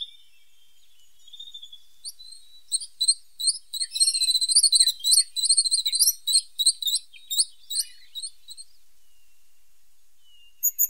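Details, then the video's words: A tit gives a long, lively twittering song of high, rapid chips and paired notes that builds to a dense stream lasting about six seconds. It then fades into sparse calls, and a sharp note closes the passage. "The sound of a pointed tit 's voice"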